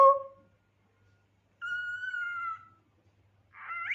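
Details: A dramatic pet cockatiel gives a short sliding note, then a long steady whistle lasting about a second, then a rough rising squawk, with silence between them.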